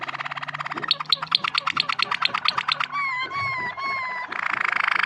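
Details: Yellow waterslager canary singing nicely: rapid clicking notes, then a fast pulsed trill, then a series of clear pure whistled notes, ending in a harsh buzzy rattle.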